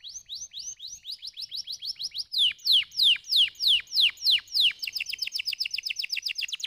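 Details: Canary song to get lazy birds singing. Quick rising chirps, then a louder series of long falling notes about two per second, ending in a very fast rolling trill.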